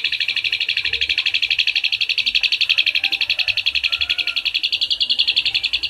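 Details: Asian pied starling song in the 'tembakan isian cililin' style, meant as a master for training birds: one unbroken, high, rapid trill of about four pulses a second that rises slightly near the end.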